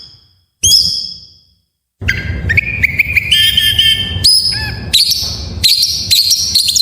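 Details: White-rumped shama song for prompting other shamas to sing: one descending whistle, a pause, then a rich run of rising whistled notes climbing in pitch with quick chips between.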